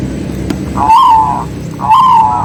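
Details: Local zebra dove song, used as a lure to stir other doves into singing: two drawn-out cooing notes, each swelling slightly then holding level, about a second apart, over low rumbling background noise.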